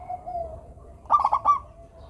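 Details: Local zebra dove song for getting lazy doves to sing: a soft steady hum, then one short quick rattled burst of four bubbling notes.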